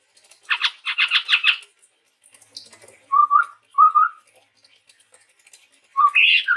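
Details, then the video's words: Chestnut-rumped babbler, male, from Sumatra's forests: several rough chattering notes in a quick row, then two clear paired whistles and a closing loud rising-falling whistle. "suara burung tepus tunggir merah gacor"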